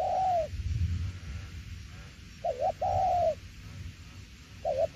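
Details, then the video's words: Spotted dove in đồng tiểu liên nước style cooing sparsely: a long falling coo, then a short wavering note and a sustained arched coo, and another brief note at the end, over a low background rumble. "Đồng tiểu liên nước chơi quá hay luôn ae ơi"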